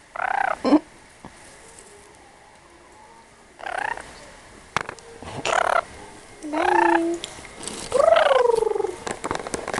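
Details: A pet lorikeet rambling with silly talk-like sounds, also licking the camera lens: short bursts of harmonic chattering notes with rising and falling squeaky inflections, separated by quiet gaps, ending in a longer run of warbled sounds.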